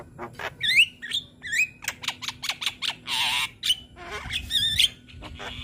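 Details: Tutor recording of a young Javan myna in full song while nodding: loud, varied phrases of upslurred whistles, harsh rasping squawks and a burst of grating noise, packed densely with barely a pause.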